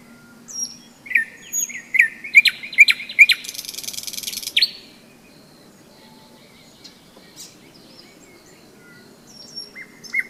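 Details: Singing nightingale during a May hike along the Seversky Donets river: rapid whistled notes building into a two-second harsh rattle, then a long pause with faint chips and a final whistle, over continuous low frog croaking.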